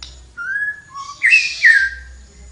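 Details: Flowerpecker singing vigorously: a long level whistle, a brief lower note, then two loud bright whistles that rise and fall, over a soft background hiss.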